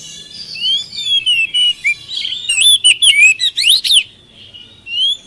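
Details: Oriental magpie-robin singing to coax silent birds into replying: soft sliding whistles build into a loud stretch of quick, varied, sweeping notes and sharp chips near the middle, then quieter whistles at the end.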